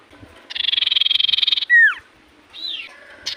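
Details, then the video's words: Common iora singing in full voice, a song meant to draw replies from other ioras: a fast rattling trill for about a second ends in a clear falling whistle, then fainter bird notes follow. "Burung sirtu cipoh gacor hitungan detik burung cipoh apapun pasti Langsung nyaut"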